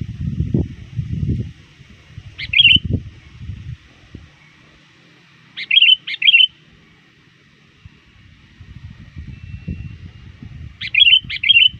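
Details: Trained sooty-headed bulbul used as a lure, calling nonstop toward dusk to draw rivals: short clusters of two or three clear chirpy notes roughly every four seconds, with low rumbling handling noise between.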